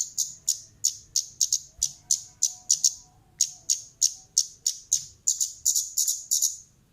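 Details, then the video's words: Female orange-headed thrush lure call: dense runs of sharp, high, ticking chips repeated several times a second in bursts, with a brief pause midway and faint low background hum. "suara pancingan burung Kemade Gacor pedas"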